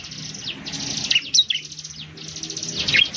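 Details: Bar-winged prinia, known in Indonesia as ciblek or perenjak jawa, singing. Dense stretches of fast, thin buzzy pulses are broken by a few sharp falling whistles, over a steady background hiss.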